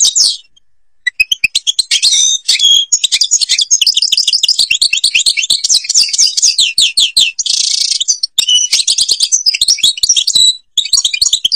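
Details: European goldfinch, Algeria, singing in the Babas forest Tiberli style: after a quiet second, rapid liquid twittering and chattering trills run on, with one harsh buzzy burst midway.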